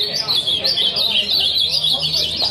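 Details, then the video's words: Loud massed song of caged ultramarine grosbeaks in a group, crowded with rising and falling whistled phrases repeated rapidly. Faint speech from a man is heard below. "Grande Baderna de azulão"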